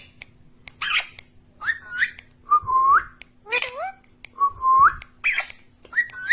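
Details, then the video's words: Talking parrot alternating short rasping bursts with clear whistled phrases that dip and rise, plus a double glide resembling a spoken word. "Talking parrot || mummy mitthu || mithu mitthu || bolne wala tota"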